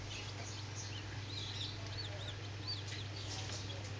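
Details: Common Quail chicks hatching inside an incubator. Thin, rising-then-falling cheeps come in quick, irregular succession against a constant low droning hum.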